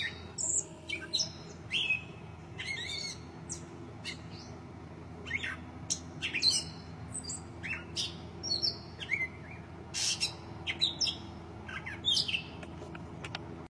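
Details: Gray catbird song: a rambling, jumbled run of varied squeaky, mewing and chattering notes with some sharp clicks, carried over a steady low background hum.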